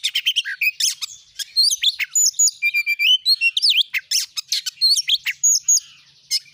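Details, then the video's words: Song of an Oriental magpie-robin (kacer), played to coax a kept bird into singing: busy, varied chirps, clipped whistles, level piping notes and twisting slurs, delivered almost without pause. "jadikan burung Kacer anda cepat gacor dengan pancingan burung Kacer ini"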